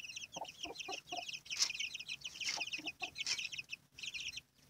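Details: Domestic hen with chicks: continuous high, thin peeping from many chicks, several low short hen clucks, and a few sharp broadband knocks.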